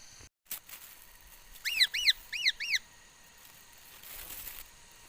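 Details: Chinese hwamei, said to sing many kinds of sounds, recorded 13 August 2021: four quick arched whistled notes in a row after a sharp click, set against a noisier, hissy background.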